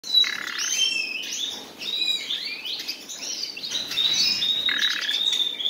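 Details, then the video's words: Common nightingale song from a pair of birds: varied rich phrases of rising and falling whistles and fast trills, with sharp notes and rapid rattling bursts, one phrase running into the next without pause. "моя пара соловьев"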